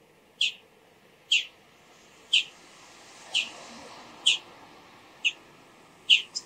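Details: Bull-headed shrike calling before dawn: sharp, bright, high single notes repeated about once a second, each a short clear burst, over a quiet, steady background hiss.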